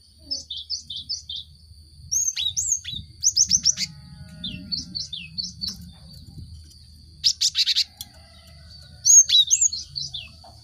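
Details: Cinereous tit singing, used to prompt caged birds to start singing: varied high whistled phrases, paired chirps and quick descending notes in bursts separated by short pauses, with a sharp fast trill near the middle.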